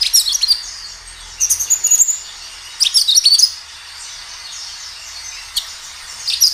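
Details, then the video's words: Kinoi in lively song, used to stir other kinoi into answering: short phrases of piercing, high chirps and trills at roughly one-second intervals, then a longer quiet gap and a final brief phrase. "Suara kinoi gacor"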